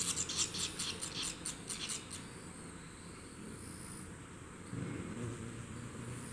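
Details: Newly hatched barn swallow nestlings on the second day of observation; a rapid series of high, scratchy chirps repeated about five times a second for two seconds, then quiet hum and faint background noise.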